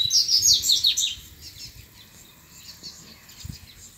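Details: Double-collared seedeater in the wild, grego-style song disputed against rival males: a loud, fast run of sharp, slurred, high twittering notes at the start, fading to faint distant chirps.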